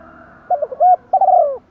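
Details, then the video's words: Spotted dove used as a decoy to excite wild doves, urging and calling coos with one ending note: a clipped pair of low coos, a rounder hollow note, then a drawn-out wavering coo that slides downward. "chim cu mồi gáy thúc và gáy gọi một hậu"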